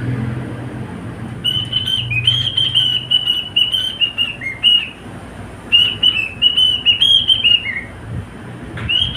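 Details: Male cockatiel kept as a pet sings two runs of quavering high whistles, each ending in a short downward slide, with a brief silence between them and a low hum early on.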